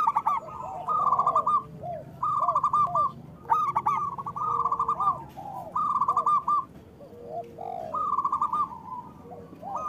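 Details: Loud local zebra doves singing as a lure for doves that will not sing: trilled phrases of rolling coos repeated in bursts with pauses, overlapping lower arched notes from other birds.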